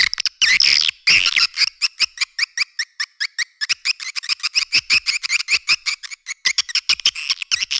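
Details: Lure call of edible-nest swiftlets, meant to draw the birds in for cave and farm use. A second of buzzy, sweeping twitters gives way to a fast, uneven series of short high clicks and chirps, roughly a hundred per minute.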